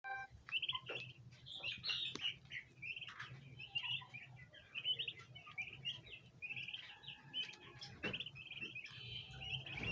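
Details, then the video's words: A group of domestic bronze turkey poults gathers around a basin of ornamental plants, trying to eat them, giving a steady stream of high, short chirps and peeps that overlap almost without pause. "baby turkey Free Sound Effects | bronze turkey poults"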